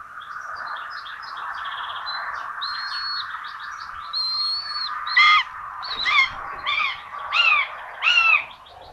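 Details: Common buzzards at a nest in Tiszalök, Hungary, on 26 June 2022, where two chicks get rabbit for breakfast. Five loud, arched, slurred calls about a second apart follow a stretch of busy small-bird chirping over a steady hum.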